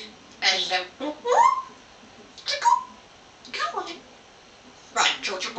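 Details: Talking African Grey parrot chatting with its owner indoors, 2009: short bursts of speech-like babble in four groups, some with quick rising whistled glides, separated by brief pauses in a quiet room.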